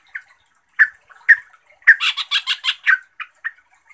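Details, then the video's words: Trucuk (sooty-headed bulbul) bait recording used to rile other trucuk. Sharp chip notes lead into a burst of rapid, harsh, chattering phrases, then return to single chips. "Gak perlu LAMA trucuk Lain langsung NGAMUK, EMOSI dan GACOR dengan pancingan trucukan ini"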